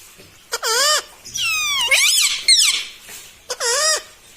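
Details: Pet talking parrot said to say "mitthu mitthu" and "mummy"; three bursts of harmonic, wavering voice-like squeaks, the middle one longer with rising and falling slides. The room is quiet between them.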